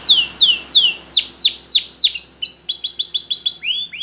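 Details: Training song of a Spanish Timbrado canary: a series of clear descending whistled sweeps about three per second, shifting into quicker doubled high chips and rising slurs, over faint background hum.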